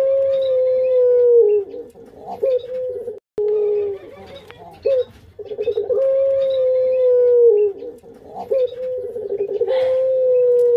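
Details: Captive collared dove repeating a cooing phrase: a long, smooth, low coo that falls at its end, followed by a short clipped note, heard three times.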